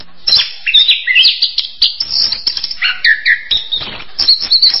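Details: Orange-headed thrush singing a rich, varied song of high whistled phrases, sliding notes and quick chirps, with short pauses between bursts.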